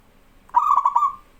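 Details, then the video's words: Local zebra dove in full, energetic song, recorded as a tutor for training young doves: one short mellow cooing phrase of four quick rolling pulses that blend into a steady held coo, then fade out, with a quiet background. "BURUNG PERKUTUT LOKAL GACOR SUARA AMPUH UNTUK MASTERAN BURUNG PERKUTUT BAHAN"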